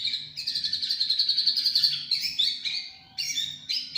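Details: Champion white-rumped shama giving 'tembakan cililin' song: a fast, even run of high chirps, about four per second, swelling for two seconds, then broken into short, bright, high whistled phrases.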